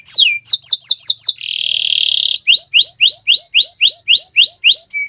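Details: Canary song on a Friday morning, known for melodious varied phrasing: quick falling whistles, a dense buzzy trill, then a steady run of rising-falling whistled notes repeated roughly four times a second.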